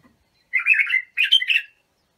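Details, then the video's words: A training song for young bulbuls: two fluid, chattering phrases back to back, the first rolling and the second rising into a sharper flourish before fading, otherwise silent. "تغريد بلابل ابو شعيب لتخريج البلابل"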